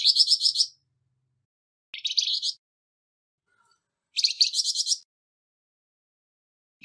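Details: Flamboyan bird with a harsh voice, recorded as training material for songbirds; three buzzy, rattling high phrases of rapid pulses, each under a second long, separated by silence.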